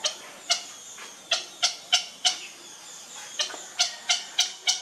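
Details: Young grey heron at feeding time uttering sharp, rasping chick calls in uneven bursts, short staccato notes spaced under a second apart with brief gaps between clusters.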